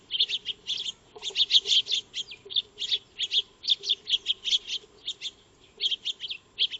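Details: Maya birds, the Eurasian tree sparrow, feeding in a backyard under a solar wildlife camera; loud bright chirps come in lively groups of two to four, with short gaps between bursts.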